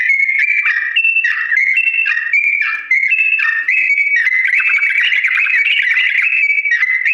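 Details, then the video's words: Long slow rolling song from a yellow-vented bulbul, used so birds learn to imitate: level whistled notes hopping between pitches, becoming a denser, fluttering warble in the second half. "TRUCUK GACOR ROPEL PANJANG NADA PELAN ‼️ UNTUK BURUNG TRUCUK CEPAT MENIRUKAN"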